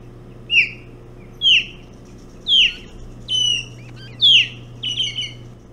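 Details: Hog Island ospreys feeding on bullhead at the nest, 11 June 2017 in early morning; a run of shrill descending whistled calls about once per second, the final notes breaking into quick doubled chirps, low hum beneath.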